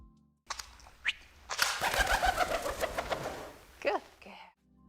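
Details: Pigeon flying over very sensitive microphones in a flight-noise experiment: loud wingbeats in a quick run of whooshing, clapping beats lasting about two seconds, with faint tones and a few thumps before and after.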